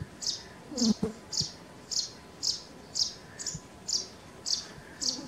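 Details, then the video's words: Sparrow chirping naturally: short, high chirps repeated roughly twice per second at a steady pace, over a soft hiss of background noise. "Sparrow bird sounds of chirping | chidiya ki awaaz"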